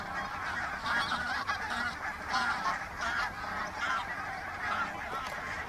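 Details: Geese in a flock coming in to land at Minsmere. Nasal honks overlap and repeat throughout, with several louder calls standing out roughly every second above a constant murmur of the rest of the flock.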